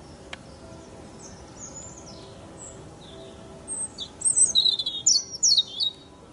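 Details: Eurasian blackcap song, one of the songbirds heard everywhere in season: faint high notes at first, then from about four seconds a loud, clear warbled phrase of rich, fluty whistles.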